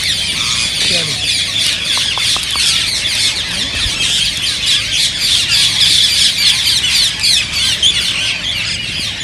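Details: Green rose-ringed parakeets, whose calls are said to stimulate other parrots to sing and mate. A dense, continuous flock chatter of shrill, scratchy squawks overlaps throughout, with no pauses.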